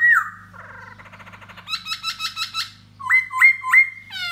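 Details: A laughingthrush sings a varied, fast song while dancing to court a female: a falling whistle, rapid buzzy trills and chattering notes, then three rising whistled phrases, over a low hum.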